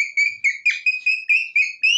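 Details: Pet rose-ringed parakeet giving a run of clear, high whistled notes, each short and slightly rising, repeated about every quarter second, between bursts of Hindi speech from a person.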